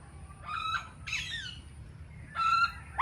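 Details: Indian ringneck parakeet giving harsh, squawking calls, three rough bursts with a banded, nasal tone, spaced about a second apart over low background hum.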